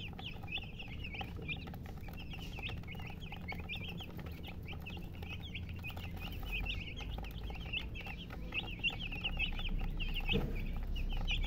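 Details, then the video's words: Many chicks peeping together in quick, high, sharp chirps about three per second, while a low rumbling noise grows louder toward the end. "Witty MURGI Baby "Chicks Chirping" Sound"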